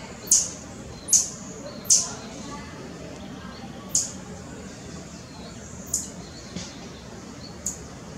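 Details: White-barred piculet calling in Parque da Chacrinha, Rio de Janeiro, Brazil, in August 2018. Sharp, very high, thin notes, each dropping quickly, given singly at uneven gaps of one to two seconds over a low, steady background rumble.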